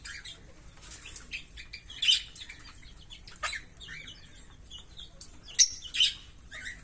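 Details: Chirps from a green Fischer's lovebird pair, fairly soft: thin high notes and scratchy bursts scattered throughout, with a few louder sharp chirps toward the middle and end.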